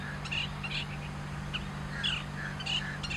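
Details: Long-tailed shrike perched on a branch in grassland, singing at length, heard from a parked car: short scratchy, chirping notes in loose bursts over a steady low hum.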